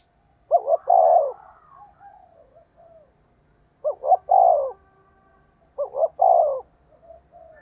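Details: Spotted dove cooing as a decoy, rustic fast 'thúc gù' style: three well-spaced phrases, each a quick stuttered pair of notes running into a long, low, descending coo, separated by quiet soft murmurs.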